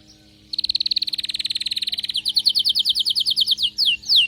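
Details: After a quiet start, an excited canary launches a fast, even rattling trill that shifts into louder repeated chirps and ends with a few sweeping downward whistles.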